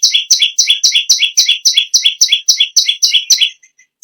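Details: Bar-winged prinia singing loudly, kept to train other cage birds: a rapid, regular string of high, sharp double chips for three and a half seconds, then fading to faint notes.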